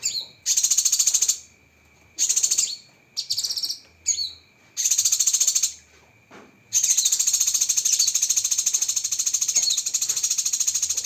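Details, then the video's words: Cucak kinoi song from a masteran built on sharp 'tembakan' fill-ins: repeated bursts of rapid, shrill pulsed trilling separated by short gaps and quick chirps, ending in a long sustained rattle. "Masteran Burung Cucak Kinoi Full Isian Tembakan Pedas"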